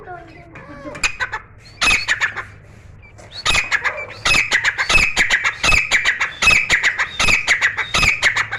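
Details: Caged Grey francolin, newly started calling indoors: a few scattered harsh notes build into a sustained run of loud, rapid, ringing phrases repeated without pause.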